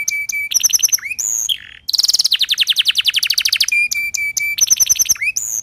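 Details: Timbrado canary singing, used for training: flat whistled tones and short clipped phrases lead into a long, rapid rolling trill at mid-clip. Whistled and buzzy phrases return afterwards.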